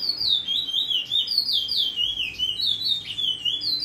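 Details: Bullfinch singing freely, giving a continuous chain of looping, fluted whistles that rise and fall in smooth waves, about two notes a second, bright and clear over a quiet background.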